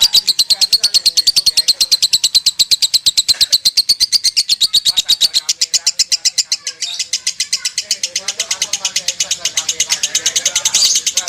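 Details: Lovebird singing in the konslet style, an unbroken run of rapid, high, sharp chirps at about three per second for over eleven seconds, the pitch edging higher toward the end, with faint low murmurs in the background.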